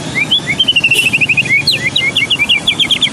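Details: White-rumped shama of the Medan type, a tutor recording for contest birds: a rapid run of short whistled notes, about seven per second, rising and falling, over a steady background hiss.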